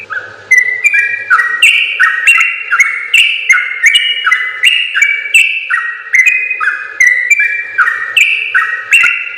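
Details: Training song of a yellow-vented bulbul, for other bulbuls to learn: a steady flow of clear whistled notes stepping up and down, phrases overlapping and repeating over roughly nine seconds, with a faint low hum behind.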